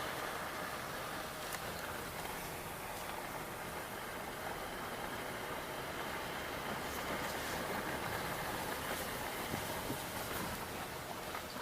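Steady vehicle rumble and broadband mechanical noise, like a train or engine, with no animal sounds.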